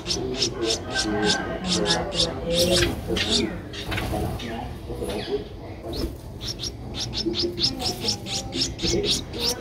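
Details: Streak-eared bulbul nestling aged twelve days, Ubon Ratchathani, Thailand, 14 April 2023, giving trains of brief high-pitched chips, briefly broken by rustling and louder broadband noise, then resuming in a quick even series.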